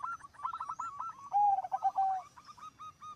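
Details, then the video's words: Zebra doves in full song, one bird making the others join: a quick stutter of short mid-pitched coos, then a smooth low drawn-out coo overlapped by further rapid notes. "Suara Perkutut Gacor Suara nya bikin Burung Perkutut Lain Ikut BUNYI"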